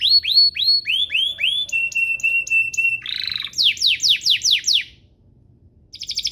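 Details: Canary song meant to teach juvenile canaries and spur them to sing: a run of downward-sweeping whistles, a flat tone, a harsh buzzy burst, then loud descending notes before a short pause.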